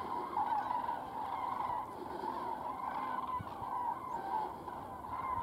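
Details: A flock of common cranes departing Strabrechtse Heide on 23 January 2016 gives overlapping, rolling trumpeting calls that blend into a continuous clamour, with no break across the whole stretch.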